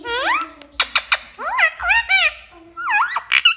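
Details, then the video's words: Parrot that talks, indoors, mimicking words in a squeaky, rising-and-falling voice, with several quick clicks and a low background hum. "Parrot sound ❤️बोलने वाला तोता"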